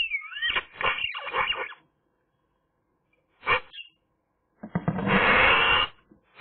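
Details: Eurasian magpie singing on a sunny day, starting with a bent whistled note and rough chatter, then a short gap, one brief harsh note, and finally a long loud grating, hissy burst.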